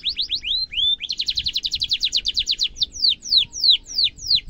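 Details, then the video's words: Sharp trilling canary song used as a model for young canaries: quick chirps and upslurs, a sustained fast trill of repeated notes, then slower descending whistles. "kenari gacor ngerol tajam cuit cuit kenari bisu langsung nyaut efektif untuk masteran kenari muda"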